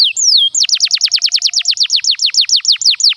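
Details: Canary lure song to encourage young and stuck canaries to sing: two long falling whistles, then a steady fast series of about twenty identical swooping descending notes, evenly spaced around six per second.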